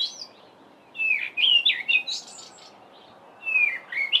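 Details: Male Cape robin-chat singing on a mid-winter July morning in a garden, with mimicked notes embellishing the song: warbled, slurred whistles rising and falling in a fast phrase, a pause, then another phrase begins.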